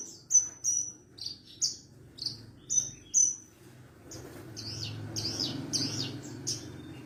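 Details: Javan bush lark song, a training recording for other larks: crisp high whistles repeated about every half second, followed by warbled phrases partly drowned by a background hum.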